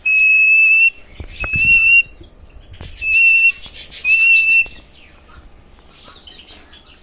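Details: A male Cockatiel, kept as a pair with a female, gives four long, clear, level whistles, each nearly a second long, with brief chirps and faint background noise between them.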